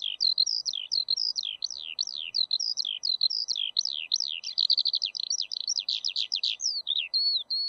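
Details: Continuous high song of a Eurasian skylark, a long breathless stream of chirps, slurred whistles and fast rattling trills with barely any gaps, ending on a couple of clear level whistles; faint steady hiss behind.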